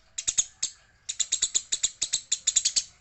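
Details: Eurasian tree sparrow, described as fighting and as a female, gives sharp, high chirps in quick bursts of three to six notes separated by short pauses, steady and dry, with no other sounds.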